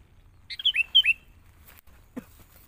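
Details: Young wild-caught sooty-headed bulbul in training, with another bulbul used as a lure bird: a short burst of four or five clear, bright whistled notes, some slurring downward, followed by a softer low thump.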